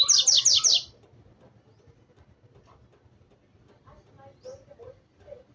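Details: Double-collared seedeater excited by a loose female, with the end of a loud song phrase of rapid buzzy strokes cut short, followed by several seconds of faint low chirps and background murmur.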